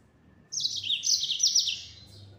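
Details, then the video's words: One continuous, dense, high-pitched trill of fast descending chirps from a yellow-fronted canary singing at full speed in the 'nembak' style. "Burung Mozambik Gacor Suara Nembak Full Speed.."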